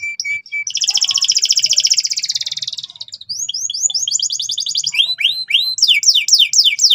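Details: A canary singing loudly and tirelessly in ngeriwik style so young canaries learn quickly: steady short whistles, a long rapid buzzing trill, then varied rising slurred notes repeated in quick succession.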